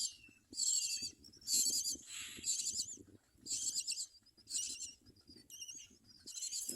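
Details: Common myna feeding its young: loud, wheezy hissing bursts about once a second, with a brief whistled note near the end.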